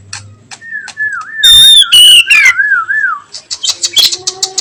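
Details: Oriental magpie-robin (Copsychus saularis) singing in the late afternoon: a long wavering whistle slurring up and down, then loud rich phrases and quick high chirps repeated in bursts.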